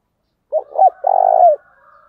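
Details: Spotted dove decoy of the thổ đồng voice type calling: a clipped first note, an arched middle note and a long vibrating buzzy coo that tails downward, with a faint thin tone lingering after.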